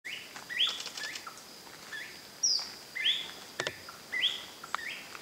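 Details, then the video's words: Blue-backed manakin giving sharp, high, upslurred whistled notes, roughly one a second at an uneven pace, with a few dry clicks and snaps between them. "Blue-backed Manakin"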